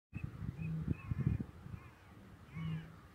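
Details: At dawn in a reedbed at Newport Wetlands, a Eurasian bittern gives two deep, hollow booms about two seconds apart over low rumbling thumps, with faint distant dawn-chorus birdsong higher up.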